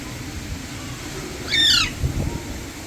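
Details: Alexandrine parakeet perched on an electric wire: a single harsh, loud squawk with a rising then falling sweep, followed by a fainter note, over steady low traffic-like rumble and background hiss.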